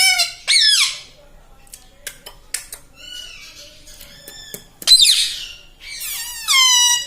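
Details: Pet talking parrot, a tota, mimicking words such as "mitthu" and "mummy": a few loud, nasal, harmonic-rich squawked syllables with bending pitch, separated by quiet stretches holding faint clicks and soft taps.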